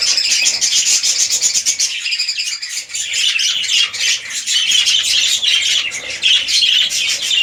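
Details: Budgerigar breeding pair of red-eyed lutinos, king-size male with undersized female, delivering continuous loud buzzy warbling chatter with rapid clicks and whistles throughout.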